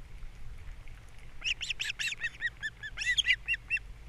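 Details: Osprey pair at their nest on Captiva on the morning of April 3, 2022, as the male brings in a fish for breakfast and the female feeds the chicks. After a quiet start, a quick run of sharp, whistled chirps repeats about a dozen times.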